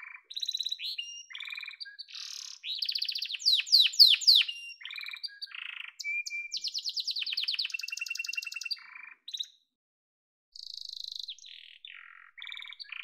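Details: Yellow canary song of trills, descending whistled sweeps and long rapid rattles, with a silent gap of about a second before soft trilling resumes.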